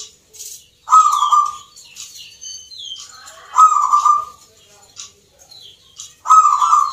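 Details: Rhythmic contest song of a local zebra dove at a Mentaraman-style bird competition in Yogyakarta, Indonesia. Three rolling coos come at uneven intervals, mixed with high chirps and short whistles from neighbouring birds.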